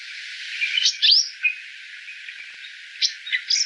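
Purple Sunbird song: high, thin chips and sharp buzzy twitters in short bursts, with quick rising squeaks and uneven pauses between phrases.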